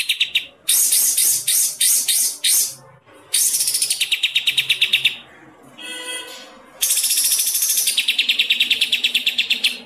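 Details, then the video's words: White-rumped shama master song for training, in a combination mix with other birds' songs: loud bursts of rapid, buzzy repeated notes and fast chattering trills, broken by short pauses, with a quieter nasal passage midway. "kombinasi masteran "MURAI BATU" paling mewah//burcil,cililin,grejatarung dll"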